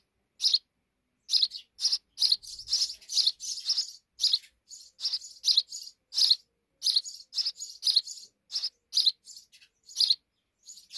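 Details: Rapid, irregular chattering chirps from sparrows nesting deep within a wall, many notes crowding together, sometimes overlapping, over about eleven seconds.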